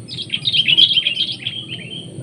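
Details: A wild sooty-headed bulbul, heard in the field, gives a quick, bubbly chatter of bright notes lasting under two seconds, over a faint steady high whine and low background rumble.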